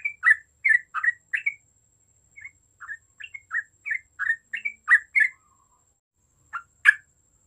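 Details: Yellow-vented bulbul singing vigorously to lure others into chattering: a long, irregular string of bubbly, slurred notes rising and dropping in pitch, a brief gap, then two sharp closing notes.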